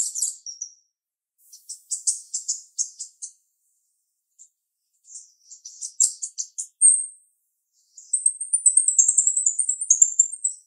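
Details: Female jalak rio-rio starling, sharp-voiced, giving bursts of high scratchy chattering notes, a brief clear whistle, then an extended rapid trill of thin bright pulses near the end.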